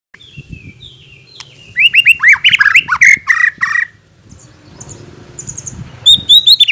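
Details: White-rumped shama song meant as a lure to provoke other birds: faint high whistles, then a dense burst of harsh squawky and whistled notes, a quiet gap, and closing high thin notes.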